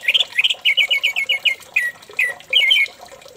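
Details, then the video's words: Lure song of an orange-headed thrush, played to coax another thrush into singing: a fast string of clear, downslurred whistled notes repeated about five times a second, then a few longer slurred phrases. "Pancingan Anis merah agar teler"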